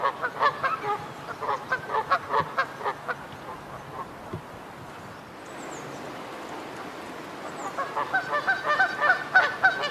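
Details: Canada geese honking in bursts: rapid nasal honks for three seconds, a quieter stretch with high thin chirps from small birds, then honking resumes louder and faster near the end.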